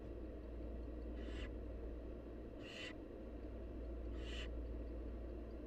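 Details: Nestling barn owls, wild, screeching for food as the mother feeds: three evenly spaced hissing bursts about 1.5 seconds apart, harsh and breathy, over persistent low background noise.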